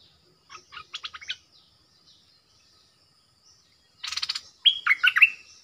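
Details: Bulbul kept as a caged decoy on 13 April 2021, wild birds approaching three times; quick runs of sharp chirps, a pause, then a dense burst followed by louder warbled notes, background otherwise quiet.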